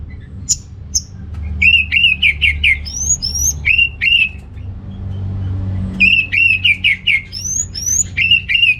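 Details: Orange-headed thrush in North Bali giving gacor song to spur males lacking breeding drive: runs of rapid repeated mid-pitched notes alternating with high rising slurs, broken by a short pause, over low background rumble.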